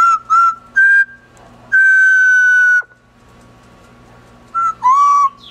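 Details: Pet double yellow-headed amazon, a female, whistling part of the "Bridge on River Kwai" tune during an outing in her cage: clear pure whistled notes, a few short, one long held tone, then a small dip and rise.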